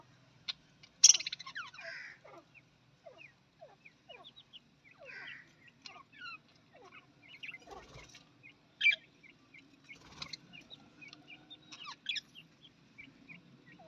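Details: Australian parrots keeping up a long bout of twittering: rapid downward chirps, clicks and short harsh squawks, now sparse, now crowded, with one louder screech early on.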